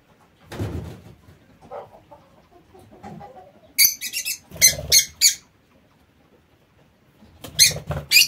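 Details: High, grating squawks from lovebirds in an aviary come in quick clusters of three to five sharp notes, with faint mid-pitched chatter and low fluttering thuds between bursts.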